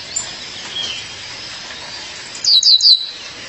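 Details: Calling to her mate, a female violaceous euphonia gives a run of three rapid, high, descending chirps after a quiet stretch.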